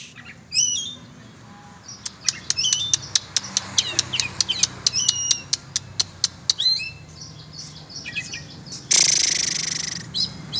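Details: An oriental magpie-robin flown free during sport training delivers a fast run of dry clicks and chip notes with brief whistled phrases, followed by a sudden loud rushing burst near the end.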